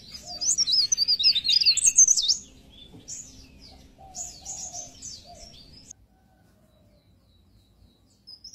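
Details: Pied bush chat tutor recording: a fast, high, scratchy warbling burst for about two seconds, then softer twittering phrases that fade out, with a low rumbling hum underneath.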